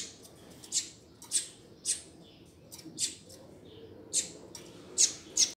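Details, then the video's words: Double-collared seedeater calling to warm up a male: faint, spaced high chip notes, about one every half second, over a soft background hiss. "COLEIRO CHAMANDO TOP PRA ESQUENTAR SEU COLEIRO OU PAPACAPIM!!! - Coleiro Professor Aprendizado"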